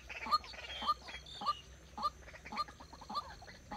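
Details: White-breasted waterhen kept as a decoy bird for trapping, being trained: a harsh, clipped note repeated about every half second, with a bright tone on each note and a steady background hiss.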